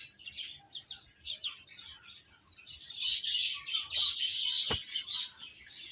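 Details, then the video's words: Chicks eating and playing, high overlapping peeps swelling into a steady chorus, broken by one sharp click near the end. "Cute Chicks Chirping Sounds"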